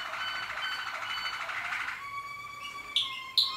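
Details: Canary of the Malinois Waterslager song type, 2014; a long rich rolling tour with layered harmonics, shifting into a clear held whistled note, then two sharp high chip-like accents near the end.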